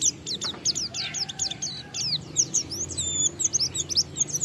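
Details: Pleci, the Oriental white-eye, giving a lure song to set other white-eyes singing; rapid high chirps tumble in overlapping, falling strokes, with a soft whistle near the start and light background noise throughout.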